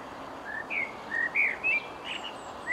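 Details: Singing blackbird filmed from a distance with camera zoom: short, mellow, fluty whistled notes and brief warbled phrases, spaced irregularly, over a soft background hiss with faint distant high chirps.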